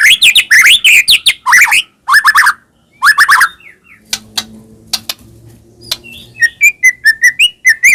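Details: White-rumped shama of the Medan type in full varied song, used as a lure to make caged shamas sing: loud bursts of rich rising whistles and rapid notes, a pause with faint low hum, then a run of sharp high chips.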